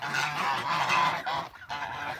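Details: Several domestic geese honking together, a dense overlapping chorus of harsh nasal honks that dips briefly near the end before resuming.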